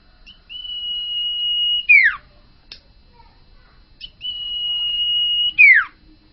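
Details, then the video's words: Common iora (sirtu), a young wild-caught (bakalan) bird said to be turning into a keen singer, gives a long, level, drawn-out whistle ending in a sharp falling note, repeated twice about four seconds apart. "burung sirtu bakalan gacor owor-owor"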